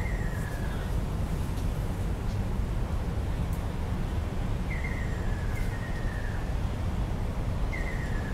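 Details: Ruddy kingfisher, Rot Fai Park, 20 April 2016: clear falling whistled calls, one at the opening, then two back-to-back midway and another near the end. A dense low rumble of traffic dominates behind them.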